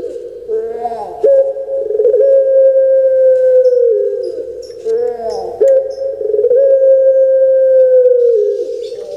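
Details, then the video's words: Caged puter pelung collared dove from Indonesia, whose voice is rendered locally as kuk gerukkk kwokkk, repeats long sustained coos with brief rolling breaks between, a steady humming tone dominating throughout. "PUTER PELUNG DAPAT NEMU ini Suaranya SEBAGUS ini"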